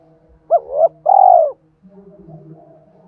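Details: Spotted dove singing in the thổ voice, a fight-provoking challenge call blended with calling song. A quick hooked coo leads into a drawn-out, buzzy coo that slides downward, then a faint low hum.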